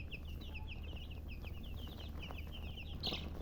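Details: Continuous chicken chirping, with many short high peeps tumbling over one another, a slightly louder burst near the end, and constant low-pitched hum in the background.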